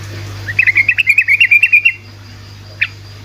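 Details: Yellow-vented bulbul in fast 'ropel' song to provoke other bulbuls to answer: a dense bubbling chatter of rapid chirps for about a second and a half, one stray note after, over low hum.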